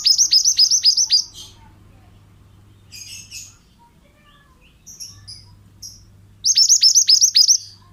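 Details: Pied bushchat male singing vigorously, a recording meant for training other birds: two loud bursts of rapid high descending chirps, one opening and one closing, with faint scattered twitters between them.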